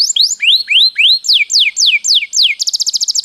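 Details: Master training song of a canary: rising then falling slurred whistles repeated about four per second, followed by a quick high pulsed trill near the end.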